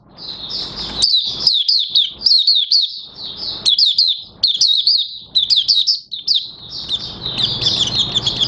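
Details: Oriental white-eye starting to sing on 30 August 2022 as its new white feathers finish colouring; long, hurried strings of sweet, sliding high chirps, nearly continuous, with soft background rustle toward the end.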